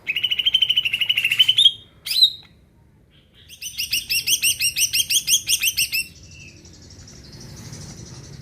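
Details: Greater green leafbird singing energetically, a song meant to stir other birds into singing: a long steady high whistle, a sharp upslurred note, then a fast run of about fourteen ringing repeated notes, with faint low rumble behind.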